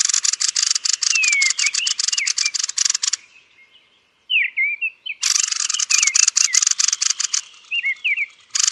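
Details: Roosting thrush of the genus Turdus giving long buzzy, rapidly pulsed chatters mixed with high wavering whistled notes, broken by a brief silent gap before the chattering resumes.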